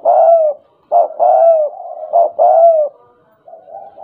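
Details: Tame spotted dove singing often in a stuttering (gagap) coo style: a series of low, mellow hooting coos, each with a slight rise and fall, about four phrases separated by short pauses, in a quiet indoor setting.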